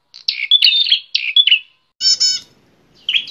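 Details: Scratchy, buzzy chatter phrases from a fighting Bar-winged prinia, a wild visiting bird, followed by a harsher nasal rasping note and the start of another chatter.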